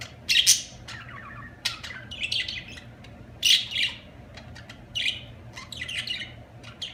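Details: Budgerigar warbling with loud squawky bursts separated by runs of clicking, scratchy chirps, a steady low hum beneath.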